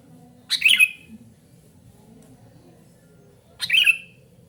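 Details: Sooty-headed bulbul calling noisily, two short harsh chattering bursts about three seconds apart, each rasping and slightly buzzy, with quiet low background hum between them.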